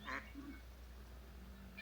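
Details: A duck gives one short nasal quack over a low hum at a riverside campground in Lower Glenelg National Park on the SA–VIC border, during the early-November long weekend in the evening, with koalas calling nearby.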